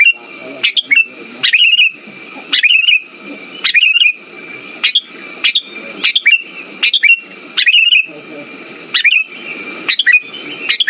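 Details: Sooty-headed bulbul lure song to prompt silent birds to sing: spaced chirpy phrases, each a sudden rising note trailing into a short warble, with irregular gaps and harsh low noise bursts accompanying the phrases.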